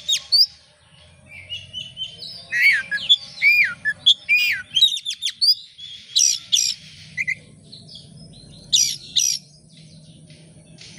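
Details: Oriental magpie-robin singing as a lure for other birds: loud looping whistles and hooked slurs mixed with sharp rasping bursts, delivered in uneven phrases over low background rumble.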